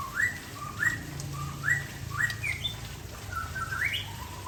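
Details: Afternoon song of a white-rumped shama, Aceh type: a series of short clear whistles, each sliding up to a sharp peak, repeated about every 0.7 seconds, then a longer rising warble; low hum in the background.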